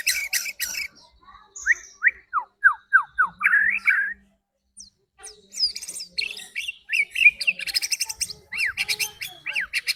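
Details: Provoking song of a white-rumped shama, used to rouse other birds into singing: sharp chips, then a series of down-slurred whistles about every third of a second, a short pause, then dense, varied chattering and whistled phrases to the end.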